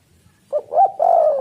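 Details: Single spotted dove phrase meant to lure birds into calling: a soft opening hoot, a stronger rounded coo, then a long, level, burry coo slowly falling in pitch, over slight low background noise.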